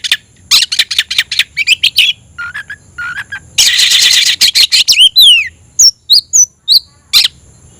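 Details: Oriental magpie-robin song while seeking a rival: quick repeated chirps, short low whistles, a dense buzzy burst, then clear downslurred whistles and sharp notes.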